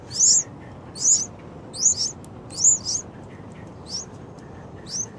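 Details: Yellow-vented bulbul chicks, day 6: high, wavering squeaky cheeps in a loose series, about one each second, fading toward the end against a continuous hissing rumble.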